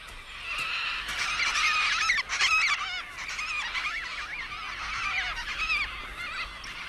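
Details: Several Major Mitchell's cockatoos in Australia give harsh, wavering screeches that overlap almost without pause for the whole seven seconds, louder in the first half.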